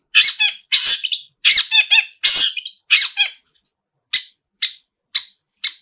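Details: Long-tailed shrike singing a song full of imitated fills, in a lively, busy mood: five harsh, buzzy, squawky bursts in quick succession, then a pause and four short sharp chips spaced about half a second apart.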